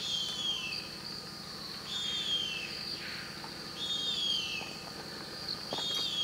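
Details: Female harpy eagle calling for the male around and inside the nest in Carajás National Forest, Amazon: thin, high, falling whistled wails, each about half a second, repeated roughly every two seconds over a shrill insect chorus.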